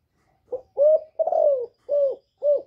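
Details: Calling female spotted dove, cooing to stir up males: one phrase of a soft short note, a rising hollow coo, a long slurred coo sliding downward, then two shorter rounded coos, in a silent setting.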